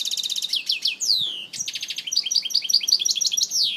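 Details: A European goldfinch in Algeria sings a quick, liquid twitter of high tinkling notes, buzzy trills and downslurred whistles, run together without pause.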